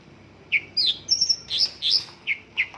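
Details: Mongolian lark with a song of local phrases: after a short quiet start, a few sharp chirps, a thin level whistle and some down-slurred notes, spaced out and clear.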